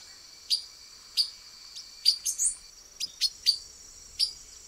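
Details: Male silver-beaked tanager (Ramphocelus carbo), camouflaged among branches in Brazil, giving sharp, high, metallic chips at irregular intervals, roughly one every half second to second, with a faint steady insect hum behind.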